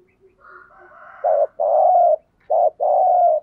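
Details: Spotted dove decoy bird cooing to provoke and lure wild doves: after faint soft notes, two pairs of cooing phrases, each a short note followed by a longer, steady, throaty coo, in a quiet room.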